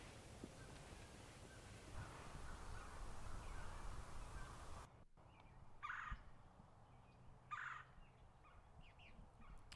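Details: In Wisconsin, spring 2020 turkey hunting, a roosted Wild Turkey gobbles twice from maybe a couple hundred yards away, short rattling bursts about two seconds apart, after several seconds of loud wind rumble.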